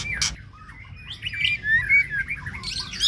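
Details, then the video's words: White-rumped shama in Babagan village, Lasem, being prepared for a practice singing contest, giving varied whistled notes, slurred rising and falling phrases, and a sharp high burst, over steady low background rumble and a brief spoken word. "Persiapan latber murai batu didesa babagan"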